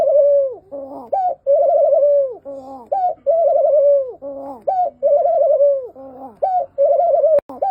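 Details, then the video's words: Barbary dove giving a steady series of rolling coos, each a drawn-out quavering note ending in a drop, then a brief rising hiccup note, repeated regularly without pause. Recorded for comparison with the Eurasian collared dove. "Suara Puter Lucu. Streptopelia Risoria VS Decaocto."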